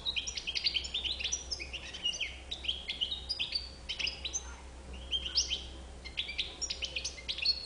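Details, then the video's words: White-bibbed European goldfinch in sustained song, a long rambling stream of tinkling twitters, brief buzzes and whistled rising notes, barely pausing, over a quiet steady hum. "chardonneret a bouc blanc"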